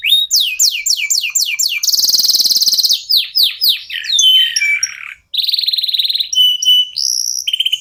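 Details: Local canary in continuous song, a lure meant to make other songbirds join in. A string of quick downslurred chirps gives way to a loud buzzy trill, followed by varied sliding whistles, a brief pause and more trilled phrases.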